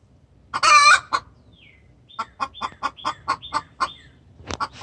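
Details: Distressed hen calling the rooster: a loud, rough, half-second squawk followed by a run of sharp rapid clucks overlaid with faint high downward chirps, ending in a few more clucks.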